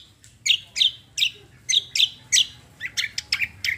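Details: Cucak singing a combo roll 'tembak' style song in active 'gacor' form: a run of loud, sharp, high chirps repeated about every third of a second, then quicker clipped notes toward the end, with no other sounds.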